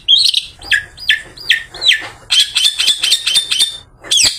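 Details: After a bath, a long-tailed shrike used in the afternoon to lure other shrikes sings a string of downslurred whistled notes about every half second, then quicker scratchy chattering phrases and a final sharp note.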